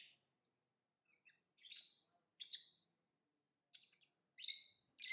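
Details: Lovebird chirping: short, sharp, high notes come irregularly, singly or in pairs, with quiet stretches between them and a faint low hum behind.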